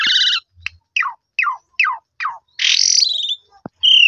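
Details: Song of a black-collared starling played to lure other starlings into answering: a doubled harmonic note, five evenly spaced descending whistled slurs, a long buzzy grating phrase, and a final clear high whistle.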